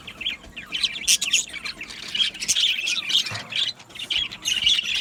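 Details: Budgerigars in an aviary colony, a dense chorus of overlapping squawky chirps and warbled chatter, with louder bursts near one and four and a half seconds and no pause between calls.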